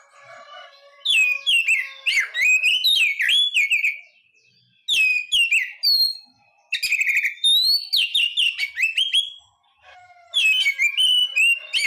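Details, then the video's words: White-rumped shama singing a rich, fast medley of whistles, trills and slurred notes in four bursts with brief gaps, a faint steady tone audible at the start. "SUARA BURUNG KACER"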